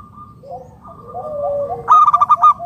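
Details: Zebra dove of local wild stock calling to lure others: soft, descending lower coos, then a loud burst of quick, staccato pulsed notes.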